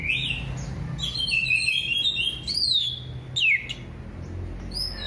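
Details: Relaxed 'gembling ngeplong' song of an orange-headed thrush, meant to prompt other birds to sing: rich, varied high whistles that rise and fall, with quick downward-sweeping notes and short pauses between phrases.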